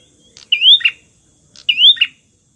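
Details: Prenjak song played to lure rivals: two sharp high phrases, each a rising whistled sweep with a buzzy burst at its end, about a second apart, in a quiet background.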